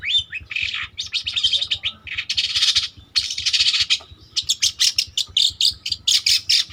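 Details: Spotted long-tailed shrike in full, lively song, used as a lure or master song for training: dense bursts of harsh chattering and scratchy notes, then a run of rapid sharp repeated notes.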